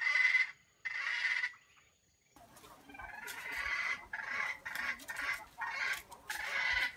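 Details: Bait junglefowl in a trap gives two harsh crow syllables, falls silent, then continues with a rougher series of broken, grinding notes over background noise.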